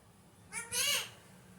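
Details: Alexandrine parakeet, described as a naughty parrot, gives a brief note followed by one harsh, harmonic squawk that rises then falls, lasting about half a second, against a quiet background hum.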